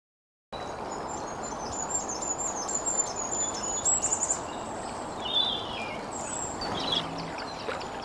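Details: A male Firecrest, one of a breeding pair, sings a thin, very high run of quick notes that swells over a few seconds, declaring his territory beside the River Darent in Kent, SE England, over a steady rushing background and faint calls of other birds.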